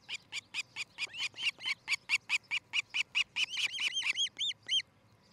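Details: An osprey at its nest in Charlo, Montana, early morning of 13 July 2018, gives a rapid series of about twenty sharp, high chirps, roughly four a second, the last few becoming clearer, arched whistles.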